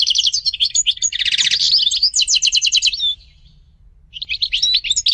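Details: European goldfinch song of bright twittering notes and several dry buzzy rattles, running for about three seconds, falling quiet for a moment, then resuming with more quick chirps.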